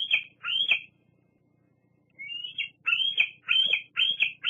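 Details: Juvenile bald eagle at Fraser Point squeeing at an adult at the nest: two high squeals, a pause, then a rising whine and a quick series of shrill, slightly slurred notes.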